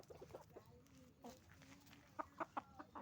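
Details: Hens and roosters on a chicken farm, quiet murmuring with a few drawn-out tones, then three loud sharp clucks in quick succession near the end.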